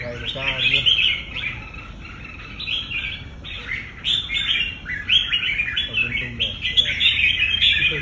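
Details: Bright, jerky whistled phrases from a red-whiskered bulbul trained for competition, with bursts of song roughly every second or two after a soft opening and brief low speech at the start.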